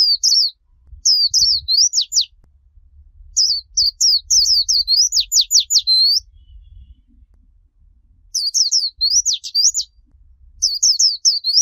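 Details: Warbling (Japanese) white-eye singing a clean 'líu choè' song used to train young white-eyes: rapid, high, twittering phrases of looping and swooping notes in bursts of a second or two, separated by short pauses.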